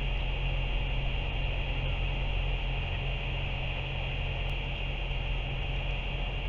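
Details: Loud, constant engine drone with a deep rumble fills the recording, and no animal calls come through.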